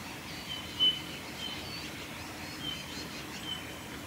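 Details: Male Eurasian bullfinch singing at Saitama Prefectural Forest, Japan, on 8 December 2019: short, soft, level whistled notes spaced irregularly over a quiet hiss of background noise, with one brief louder sound early on.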